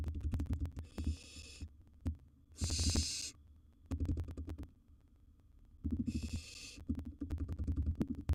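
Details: Barn owl owlet, wild, in its nest box with gerbil prey: three breathy, hissing screeches of under a second each, the middle one loudest, amid frequent thuds and scraping sounds.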